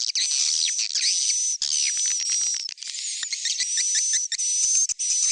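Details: Stereo recording of swiftlet calls aimed at young birds: a continuous, hissy wall of high twittering with a thin wavering whistle laid over it, broken by a few brief dropouts and rapid clicking ticks.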